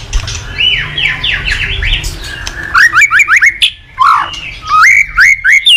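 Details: White-rumped shama, a caged bird, singing in the morning as a lure to make other cage birds sing: fast zigzag whistled notes, then loud upslurred whistles, a deep descending swoop and repeated rising whistles.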